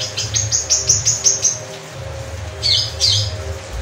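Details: Long-tailed shrike song: a rapid run of about eight high, sharp ticking notes, then a pause and two harsher scratchy bursts, with a steady low hum underneath.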